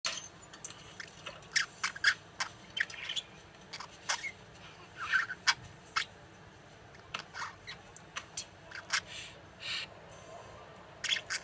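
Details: A sleepy baby budgerigar softly warbles in scattered clicks, ticks and brief chirps, a quiet, drowsy chatter.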